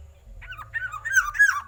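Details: Loud-voiced black-naped oriole singing one brief phrase of rich, rolling, mellow whistles that rise and dip, with a low background hum.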